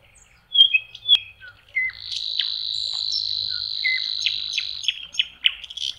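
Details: Nightingale song by a lake in spring, May: a few sharp clicks and whistles lead into a long sustained high buzzy trill lasting about three seconds, followed by brief scattered notes.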